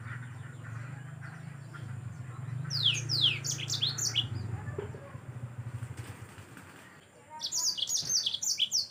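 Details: Energetic yellow-fronted canary song for tutoring caged birds: two separate bursts of quick, sharply descending whistled notes and buzzy chips, the first over a low droning hum, the second a rapid run near the end.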